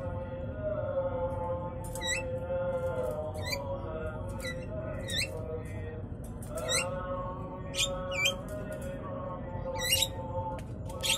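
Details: An old male Javan myna seeking to mate, courting a young female that rejected him, gives sharp, squeaky, hooked calls every one to two seconds over a steady droning hum.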